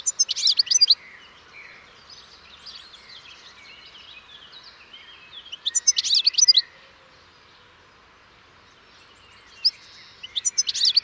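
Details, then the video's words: European goldfinch singing in bursts: loud, rapid liquid twitters around a second long, separated by softer rambling warbles and a quiet pause. "O canto do PINTASSILGO/GOLDFINCH SONG"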